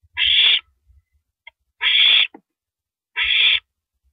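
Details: Owl at night, 1:27 AM on April 9, 2012, during a rabbit being swallowed; three harsh hissed screeches about half a second long, with low bumps and a faint click between.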